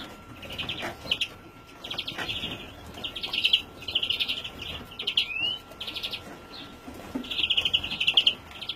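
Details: Young European greenfinch (Chloris chloris), 2017, giving high, buzzy chirping bursts in quick succession, roughly one or two each second, over a faint steady hum.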